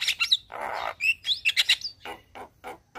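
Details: Javan myna in full morning song, head nodding, kept as training master for cage birds: a few sharp whistles, a long hoarse rasp, bright rising whistled notes, then evenly spaced harsh chacks.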